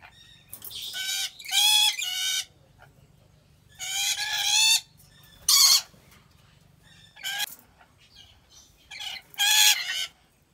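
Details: Rainbow lorikeet in a zoo collection in Aceh, Indonesia, repeating coarse, strident squawks in irregular clusters over ten seconds, some doubled, with silent gaps between.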